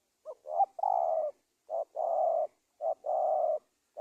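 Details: Spotted dove calls used as a lure to draw wild doves for trapping: short note followed by long steady low coos, the pattern repeated three times in quick succession, no other sounds.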